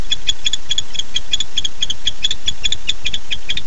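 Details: Male barn owl calling to his mate at night, 9:54 pm, 8 September 2015: continuous rapid chittering of high clicks in quick regular succession, with a low rumbling background.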